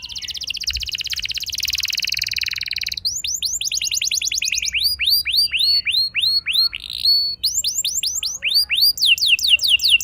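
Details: Canary song used as a training lure to set young canaries singing long rolls. A fast buzzy high trill opens, then series of rising and falling swept whistles repeated in quick runs, with brief trills between.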